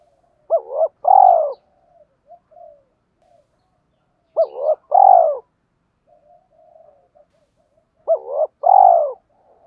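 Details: Spotted dove calling: three evenly spaced phrases, each two short coos then a longer descending coo, separated by soft quiet murmurs.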